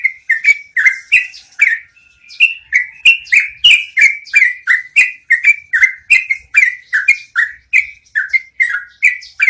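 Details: Rolling song of a yellow-vented bulbul, kept as training audio for cage birds: a long, unbroken chain of quick bubbly notes, some dipping and some rising, with one short whistled note near the start.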